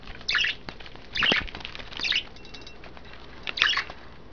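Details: Caged pet budgerigars taking baths in wet vegetables or a water dish give clustered, squeaky chirp bursts about once a second, separated by quieter pauses with faint fluttering and splashing.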